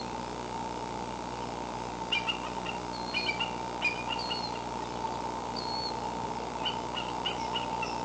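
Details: Eagle parent at a nest camera on May 26, giving what is described as a distress call: faint, thin, high chirping notes in short clustered bursts, partly masked by a steady electrical hum and constant background noise.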